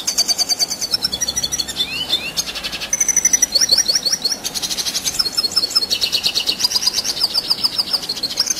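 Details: Red siskin singing nonstop in a long rolling style used to tutor competition birds, a dense, high, buzzy twitter of rapid chattering notes and quick downslurred trills with barely a pause.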